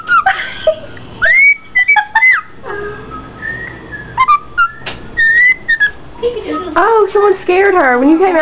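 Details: A pet female rosella parakeet, showing off, whistles the Andy Griffith theme song in clear, sliding notes with short pauses. Wavering, speech-like sounds follow, and people talk in a room.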